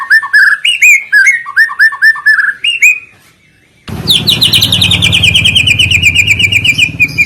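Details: White-rumped shama song played as a lure to set other shamas singing: a run of loud, clear, slurred whistles, a brief pause, then an abrupt switch to a fast, high, rattling trill over a low hum.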